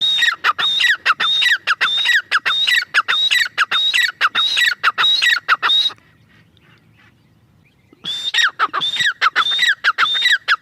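A female grey francolin gives loud, harsh, shrill notes in a fast run of about two per second, pauses briefly, then starts again.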